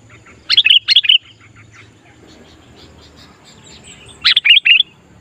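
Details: Sooty-headed bulbul singing to lure wild bulbuls: two short bubbling phrases of three or four whistled notes about four seconds apart, with faint chirps between.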